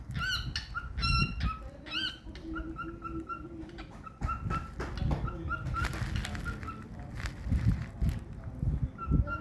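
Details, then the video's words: A happy pet cockatiel sings a series of whistled phrases: bright warbling notes at the start, then steady repeated level whistles, with low room noise and faint rustling behind. "Someone is so happy singing"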